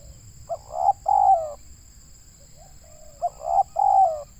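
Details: Local spotted dove from Indonesia with a big voice, recorded during trapping. Two coo phrases a few seconds apart, each a brief note and a pair of mellow drawn coos, with faint softer coos between and a constant high whine.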